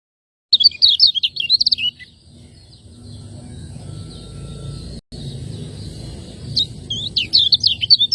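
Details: Lombok's kecial kuning, or lemon-bellied white-eye, in 'ciak ngejos' training song for caged birds: a short flurry of thin, high, rapid chirps, several seconds of quiet hum, then the twittering phrase resumes.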